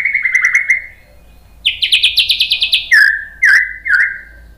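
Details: White-rumped shama song used as a masteran lure to provoke other birds into singing: a run of steady whistled notes sliding lower, then a fast burst of buzzy repeated notes, ending with three sharp down-slurred whistles.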